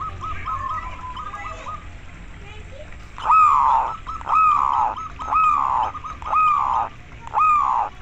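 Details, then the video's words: Local zebra dove, recording used to coax other doves into singing: faint quick stuttered notes at first, then five loud falling koar notes spaced roughly a second apart, with low background rumble. "perkutut lokal terapi koar koar agar cepat manggung"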